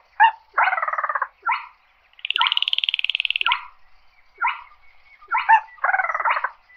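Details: Short grunting notes and long buzzy, grating trills from a slaty-breasted rail calling the flock, with pauses of under a second between phrases.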